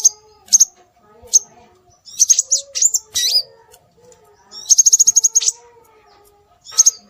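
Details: Scarlet minivet sound used as a lure to draw birds: isolated high whistled pips, slurred phrases, then a rapid run of about eight evenly spaced sharp notes. Soft lower tones sit behind.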